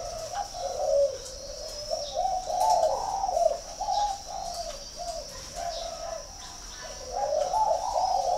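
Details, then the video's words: Spotted dove kept at a bird farm in Ba Vì, Hanoi, northern Vietnam, delivering a long run of low, hollow coos in linked phrases, with brief pauses between groups, over a steady high-pitched whine. "chim cu gáy hay 88 miền bắc"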